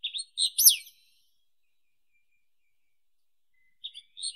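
Wallcreeper song: a quick burst of thin, high, whistled notes with a sharp up-and-down slide, then a three-second pause before another short phrase begins.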